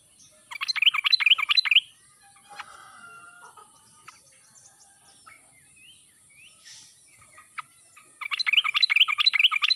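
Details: Sooty-headed bulbul, wild forest-style voice played to make lazy birds answer, giving dense rapid chattering bursts at the start and end, each over a second long, with scattered faint notes in the quiet middle.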